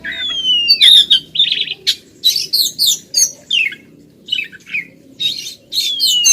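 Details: Female white-rumped shama calling persistently at a male: loud varied whistles, sliding descending notes near the top of the range mixed with harsh chattering bursts, delivered in rapid irregular phrases with short pauses.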